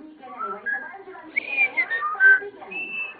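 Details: Pet common starling mimicking and singing, said to whistle the Andy Griffith tune; a varied string of whistles, rising and falling slurs ending in a steady high note, with a person talking nearby.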